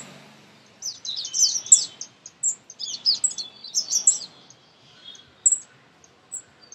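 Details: Baby birds chirp excitedly while being fed close by, a dense jumble of very high squeaky notes and thin peeps coming in overlapping bursts.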